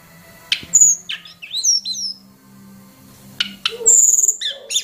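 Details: Training lure of a hill prinia: scattered sharp chips and short upslurred whistles, a quiet gap, then a bright sustained high whistle followed by quick chirped notes.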